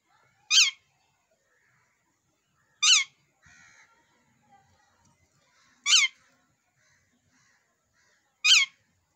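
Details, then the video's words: Ringneck parrot in a fighting mood: four short, piercing, raspy squawks spaced roughly two to three seconds apart, with near silence between them apart from a faint scratchy murmur. "ringneck parrot ✨ fighting mood"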